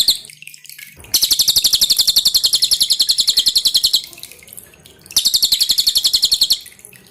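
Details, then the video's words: Loud, closely packed song of a pin-striped tit-babbler for training cage birds, dripping water in the background: a three-second stream of quick sharp high notes, a brief pause, then a second stream of about one and a half seconds. "SUARA BURUNG CILILIN"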